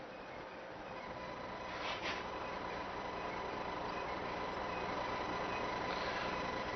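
Steady rumbling vehicle or train noise with a faint hum and a brief burst near two seconds, no animal voices.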